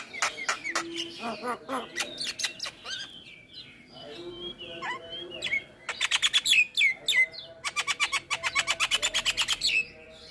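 A Javan myna sings a varied medley of clear whistles, slurred notes and bursts of fast, harsh, rattling chatter, with one faint lower whistle behind it.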